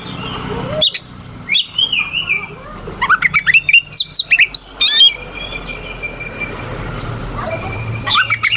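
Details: Oriental magpie-robin singing a rough, sharp mimicking song meant to provoke rivals: harsh buzzy notes and quick high whistled slurs in a rapid burst, then quieter pauses, over a low hum.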